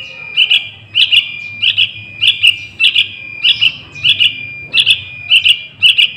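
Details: Loud paired chirps from a young sooty-headed bulbul, used as a lure for wild birds, come about twice a second in an uneven rhythm, a fixed high-pitched tone humming beneath.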